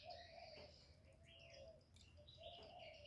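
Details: Spotted dove decoy bird cooing to lure wild doves: low mellow coos drawn out roughly once a second, overlaid by busy higher chirping from other birds and a steady insect-like background hiss.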